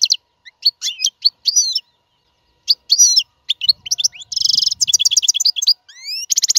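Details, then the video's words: European goldfinch song, wild bird, used to teach caged fledglings to sing: liquid twittering phrases with short pauses, sweeping upward whistles, a harsh buzzy burst and quick repeated chips. "اقوى تغريد الحسون"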